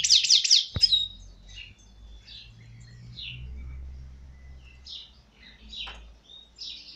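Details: A European goldfinch, caught wild a year earlier and now caged, opens with a quick ringing triple trill, then gives scattered short high chips and twitters over a faint low hum.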